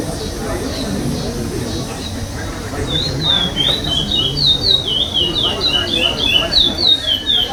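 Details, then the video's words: At a 2021 state-stage singing contest, a chestnut-bellied seed finch placed fifth in the pardo style without repetition. Background talk is heard at first, then a brisk run of ringing whistled notes, rising and falling, repeated rapidly. "CURIÓ PARDO SEM REPETIÇÃO"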